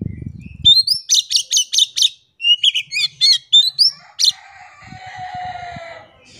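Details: Oriental magpie-robin in lively song meant to lure silent birds into singing: rising whistle, a fast run of sharp repeated notes, then varied chirps and whistles, ending in a faint hum.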